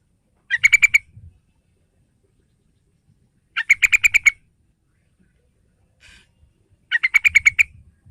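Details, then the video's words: Yellow-vented bulbul lure recording meant to provoke a young bird into singing: three bursts of rapid, bubbly chattering notes, each about half a second long and spaced roughly three seconds apart, over near silence. "Panggilan Tercepat Buat Burung TRUCUKAN Muda"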